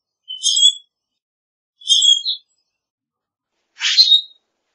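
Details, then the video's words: Common grackle giving two short squeaky, layered creaks followed by a harsher, rasping burst, each about half a second long and separated by pauses of over a second against a silent background. "Common Grackle Song! Common Grackle call! Common Grackle - Zanate Norteño Canto - Quiscalus Quiscula"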